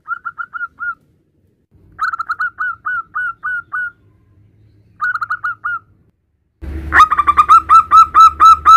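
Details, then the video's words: Male local zebra dove calling its mate. Rapid strings of short, bright, repeated notes come in bursts of five to eight. The last bursts are much louder and harsh, with distorted rumble underneath. "Perkutut Lokal Jantan sedang memanggil Pasangannya"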